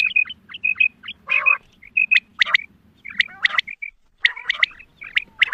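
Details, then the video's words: Quail female giving her hunting-lure call: short whistled notes and falling chirps, a harsh raspy burst early on, then clusters of sharp clicks mixed with whistles. "Batair ki awaz Quail sounds Садои бедона мода bedana ovozi بٹیروں کی سپیشل شکاری آواز"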